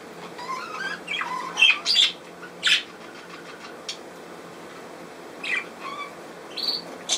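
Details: Scattered budgerigar calls: a few loud, sharp chirps and short rising whistles stand apart from one another, with quieter chatter between them.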